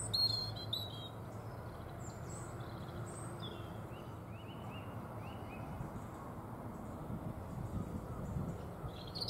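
A European robin gives thin, high, scattered notes and short twittering phrases, faint over a steady low rumble of wind or distant traffic.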